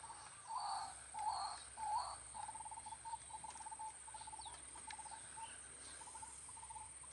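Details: Juvenile pin-tailed snipe giving three soft, nasal mid-pitched notes, then a quick run of short clipped pulses, about one and a half per second, over a steady high insect buzz.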